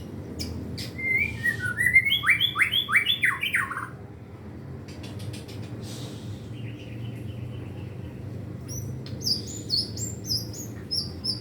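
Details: White-rumped shama practising its song, full of imitated material: a burst of rapid, scratchy descending chirps, then sharp clicks, a brief buzzy trill, and later high jerky whistled notes, with steady low hum throughout.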